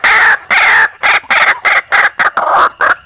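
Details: White-breasted waterhen call played as a lure to attract birds during wild hunting in Indonesia: loud, harsh, croaking notes in a steady series, each about a third of a second, nearly back to back.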